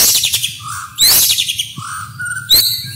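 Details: White-rumped shama masteran training song with fill-ins, shots and rolls. Short, flat, mid-pitched whistles alternate with loud harsh bursts and a high upward-sweeping note, over faint low background noise.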